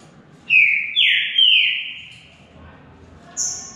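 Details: Singing contest between two green-winged saltators: three strong falling whistles, the last drawn out and fading, then a brief thin high note.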